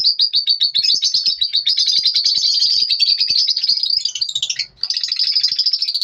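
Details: Lovebirds singing in the morning, a continuous shrill, rasping chatter of fast repeated high notes, barely pausing, with a brief dip before the twittering resumes.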